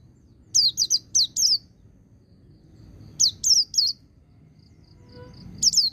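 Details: White-eye song of the ngecir sambung ngalas type, meant to stimulate untrained white-eyes into singing. Quick runs of four or five sharp, high twittering notes, then a pause, then three more, with a soft low rumble beneath.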